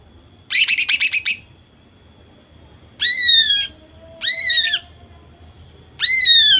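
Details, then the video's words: Female greater green leafbird singing in a ‘nembak’ style, used to provoke males into singing. A rapid burst of about eight loud harsh notes, then three loud downslurred whistled calls spaced about a second apart, over a faint steady high tone. "Cucak ijo betina gacor nembak sadis. Cocok untuk memancingcucak ijo jantan agar bunyi."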